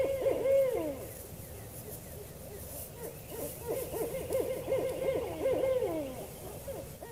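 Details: Two barred owls hooting and making varied calls, including monkey-like calls, one bird really getting into it; a frenzied run of wavering, sliding hoots and yelps, rising and falling, bunched in fast excited bursts with pauses between.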